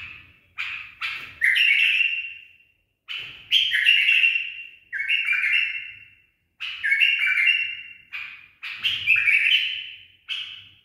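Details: Trained tame bulbul gives barwaz phrases: clipped introductory chirps followed by bright, fading whistled trills, repeated about every two seconds with brief silences between.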